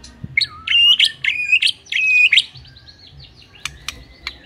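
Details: Murai batu, the white-rumped shama, in gacor singing. Bright, ringing whistled phrases are repeated several times in quick succession, then fade into softer notes and two sharp clicks near the end.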